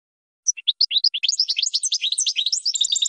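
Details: European goldfinch champion song used as a training recording for teaching birds to sing: after half a second of silence, bright tinkling chirps start separately, then speed up into a dense, continuous twittering warble. Clean background, no other sounds.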